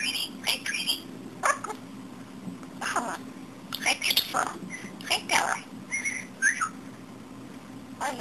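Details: A talking pet budgerigar (male) chatters in scratchy bursts, mixing talk-like mumbles with clear whistled notes and odd mimicked noises such as laughing, sneezing, nose-blowing, coat zipping and dripping water.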